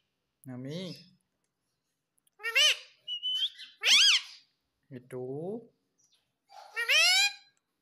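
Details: A pet talking parrot that says papa and mummy utters six separate harmonic, word-like bursts. Some are low and voice-like, others are shrill, rising and falling squawks. Quiet gaps lie between them.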